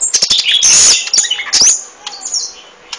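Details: Golden-fronted leafbird in dense song, with rapid high chirps, sharp upward and downward sweeping whistles and scratchy notes run closely together, then thinning to softer twitters.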